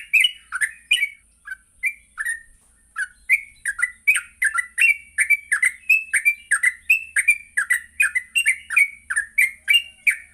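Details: Yellow-vented bulbul in full morning song, used as a lure to train bulbuls to sing and ngropel: a few scattered bubbly notes, then a long fast stream of liquid chirps about three per second, with a thin constant hiss.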